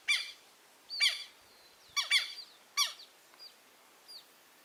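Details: Southern lapwing chicks, just hatched and already noisy, giving four short, harsh peep bursts roughly one second apart, followed by fainter, thinner peeps over a quiet background.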